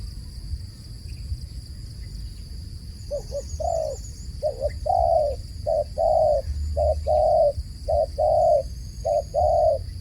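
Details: Dove calling repeatedly: about six phrases, each two quick short coos and then a longer sustained coo, spaced roughly a second apart, with a constant low hum behind.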